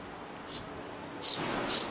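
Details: Eurasian tree sparrow, from a family breeding in a garden nest box in summer 2012, gives three short, high chirps: a faint one, then two louder ones half a second apart, against quiet background hiss.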